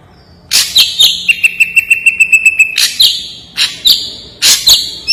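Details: Song of an ashy drongo, sharp and clear: loud downslurred notes introduce a fast, level series of high chips held for about a second and a half, followed by further harsh, ringing strokes.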